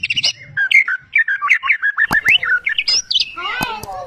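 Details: Champion white-rumped shama from Medan, a caged competition bird mimicking many species: fast run of clear whistled notes and slurred chirps, some sharp clicks and a harsh buzzy burst near the end.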